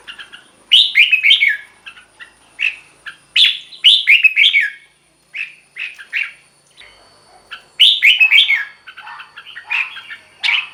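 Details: Red-whiskered bulbul, a recording for decoying or exciting caged birds: busy, almost continuous song of short chirpy phrases, quick slurred whistles rising and falling, repeated with brief gaps throughout.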